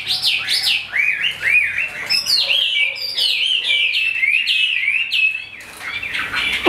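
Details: Captive, tame Chinese hwamei, described as well-tempered and tested in fighting, sings a loud, varied run of rich whistled phrases, rising and falling without pause.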